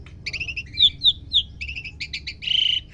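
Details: Asian pied starling youngster learning its song: a quick sequence of clipped double-toned chirps and short whistled slurs, ending in a brief buzzy rattle, over a low background hum.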